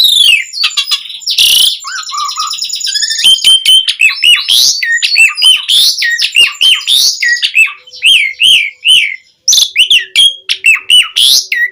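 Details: Long, busy song of an Asian pied starling, meant to lure other starlings to answer: dense chains of sharp whistles and bent, slurred notes mixed with squawky and buzzy passages, almost without pause.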